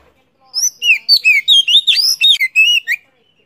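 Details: Oriental magpie-robin from Vietnam in the 'chỏ mồi' singing style, played to stimulate other birds to sing: a rapid run of rich whistled phrases, rising and falling slurs delivered in quick succession, with no other sounds.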